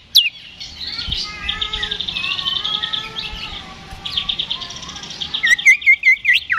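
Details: Oriental magpie-robin singing in fighting mode, ngeplong style, used to provoke a response from other birds: rich sustained whistles and warbled phrases, level trills, with sharp chirps near the end and faint low rumble beneath.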